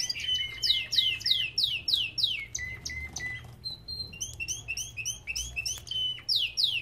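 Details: Belgian canary in an aviary repeating sharp down-swept whistles about twice a second, mixed with lower chips, a short steady whistle, and bursts of quick chattering notes, over a faint hum.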